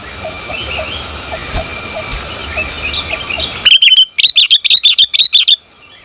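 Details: Female sooty-headed bulbul calling to the male: after faint background chirping, a quick run of about ten sharp, high, evenly pitched notes, clipped and rapid, over a quiet background.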